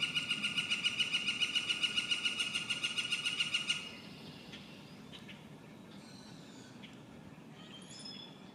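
A Yellow-shafted Flicker gives a loud, fast, even series of ringing notes, about three or four a second, for four seconds; faint distant chirps follow.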